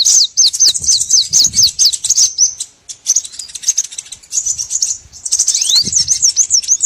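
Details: Lure recording for trapping small birds: rapid high chirps and sweeping notes in fast bursts, a short pause near the middle, then dense twittering with one rising slurred note.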